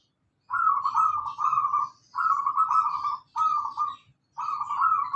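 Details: Lure recording of a local zebra dove singing steadily: four rich, rolling, trilled coo phrases, each roughly a second long, separated by brief pauses.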